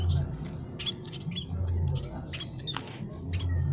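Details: Caged Javan and scaly-breasted munias, male and female, calling continuously in an aviary: scattered thin high chirps and a few short downward notes above a strong low throbbing hum.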